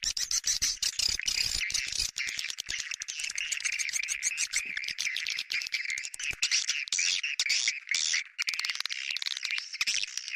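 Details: Bintang utara swiftlet sound, a lure liked by swiftlets: a continuous stream of rapid clicking twitters and buzzy chirps, steady and dense for ten seconds.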